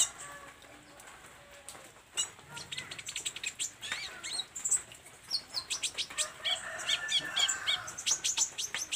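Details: Olive-backed sunbird singing vigorously: quiet opening, then a dense run of sharp, very high chirps and short ticks, quickening into a busy twittering stream near the end.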